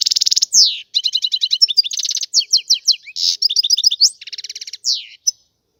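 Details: European goldfinch song opening with a buzzy rattle, followed by rapid tinkling twitters, downslurred notes and repeated short trills in quick succession.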